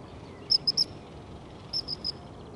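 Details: Male common kingfisher perched at a webcam site in Leusden, Netherlands, on 3 March 2011 around 07:30, giving two bursts of three shrill, high whistled notes, each burst about a third of a second apart, over a low steady hum.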